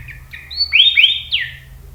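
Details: Tame pet sooty-headed bulbul singing a short, clear whistled phrase: several sweet notes sliding between mid and high pitch, the loudest pair in the middle, ending with a falling note. A quiet low hum sits underneath.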